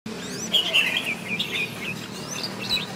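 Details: Red-whiskered bulbul in competitive singing, a decoy recording for training and stimulating other bulbuls to sing, with a wing-spreading display; bright warbled, whistled phrases with quick up-and-down slurs, a loud burst early on and a shorter phrase near the end, over a low steady hum.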